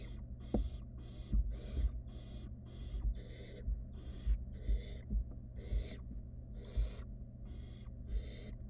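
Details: Wild nestling barn owl toying with its mother's food delivery, uttering a dense series of around thirteen rasping hisses, alternately short and drawn out, amid frequent light tapping and scraping.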